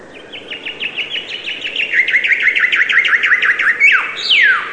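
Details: Chirping bird song: a long accelerating series of brisk, high downslurred notes, roughly eighteen in a row, closing with a sweeping falling whistle; soft constant background noise underneath.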